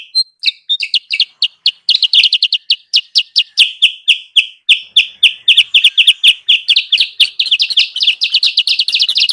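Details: Sooty-headed bulbul lure sound, used to draw wild bulbuls down. Rapid, clean chirps at a high, bright pitch run about four per second, shifting between slightly higher and lower notes, with no background noise.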